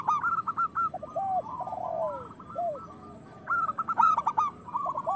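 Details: Local zebra doves in full loud song, used as a lure to stir other doves into singing and breeding: overlapping rapid staccato cooing trills, clipped mid-pitched notes, and lower slurred falling coos from several birds, with a faint high chirp near the end.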